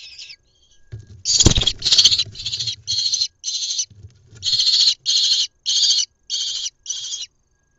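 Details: Lesser kestrel nestling about a month old, in a nest box in Israel on 1 June 2021, being fed twice very fast; it gives about a dozen harsh, rasping screeches at roughly two per second, with low thumps and rustling.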